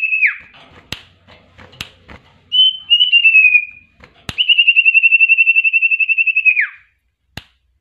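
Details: Common iora in full, lively song with many varied phrases: clear whistled notes, a slurred descending whistle, then a long rapid trill of even pulses ending in a dropping note, with sharp clicks in between.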